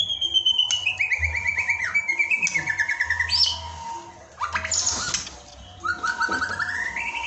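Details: White-rumped shama song lure for practice: a descending series of whistled notes, then a burst of rapid, noisy chatter and rising whistled phrases, with a continuous low hum in the background.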